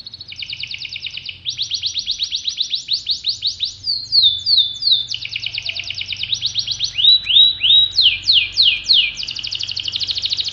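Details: Canary of the pocong type, kept in a collection, singing steadily: long, fast trills of rapid high notes, shifting between rattling runs and sweeping downslurred whistles, with a faint low hum underneath.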